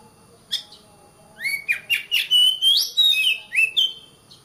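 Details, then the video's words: Caged-bird training song of an oriental magpie-robin, a fast string of rising whistled slurs and clipped chirps, loud and bright, delivered in quick bursts about three or four per second. "Suara Kacer, masteran suara kacer biar rajin bunyi!"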